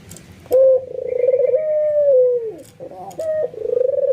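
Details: Albino white ringneck dove, excited, giving a full nodding coo that provokes other doves to join in; a low sustained coo rises into a long, gently rolling, pulsed tone near one pitch, then drops and repeats after a short pause.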